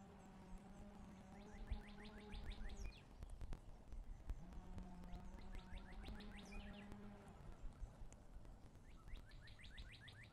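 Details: Red-shouldered hawk nest in Wake Forest, 11 April 2023 at 12:27; three quick series of shrill, falling notes, each series of about six calls, set against a constant low droning hum and light knocking.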